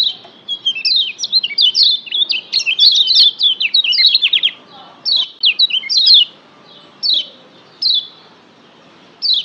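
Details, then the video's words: Lombok yellow white-eye, a tutor recording used to provoke a pet bird to sing more insistently: a dense, excited stream of high twittering whistled notes for five seconds, then slowing to spaced single falling phrases. "masteran Kecial Kuning pendongkrak emosi bikin Kecial Joss lebih ngotot"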